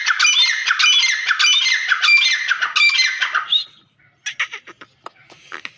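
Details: Grey francolin calling: loud, harsh, squawking phrases repeated rapidly for nearly four seconds, then stopping, followed by scattered softer clicks and short knocking sounds.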